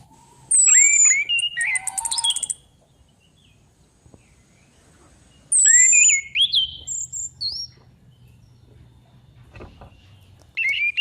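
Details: Female orange-headed thrush used as a lure gives two loud bursts about five seconds apart, each a high descending whistle mixed with warbled, twisting notes and rapid rattling ticks, with a short phrase at the end and quiet between.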